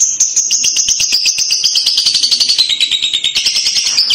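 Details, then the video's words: Lovebird kekek chatter, a trick to make young lovebirds respond: a steady, very fast buzzy rattle of high notes, about four seconds long, gently wavering and dipping in pitch. "pasti lovebird paud akan nyaut dengar kekek an labet ini, cara jitu pancing labet paud bunyi"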